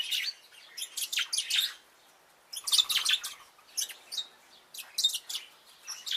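Bourke's parrots give bursts of high, bright chirps and twittering, each flurry lasting about a second with short quiet gaps between.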